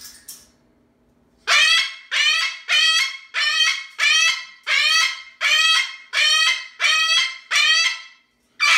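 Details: Captive Moluccan cockatoo at home gives a series of eleven harsh, honking screams, each about half a second long and spaced roughly every 0.6 seconds, steady and very loud, shown to reveal how noisy the bird can be.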